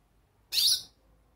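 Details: Hooded siskin (pintassilgo) calling: a single loud, harsh, high squeaky note about half a second long, rising then falling, in a quiet indoor setting with no other sounds.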